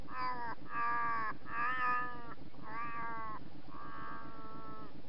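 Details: Australian magpie at Thanes Creek, Queensland, in August, thwarted by ice, gives five drawn-out, nasal, slightly wavering squawks, each about half a second long, over a steady low hum from the trail camera.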